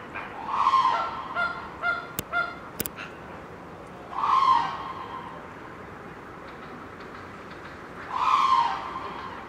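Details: Black crowned crane in a zoo, eating from a bush, gives three loud, nasal, goose-like honks about four seconds apart, with a few softer notes and two sharp clicks between them.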